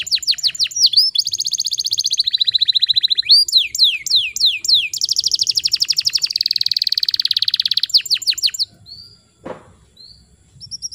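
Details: Singing canary as a training lure for canaries that have stopped singing: quick descending slurs, then long dense high rolling trills changing tempo several times, fading to near quiet with a few soft notes at the end.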